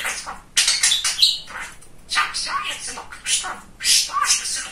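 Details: Talking male budgerigar kept as a pet: a brief pause, then rapid raspy mimicked words and thin whistles in clustered bursts.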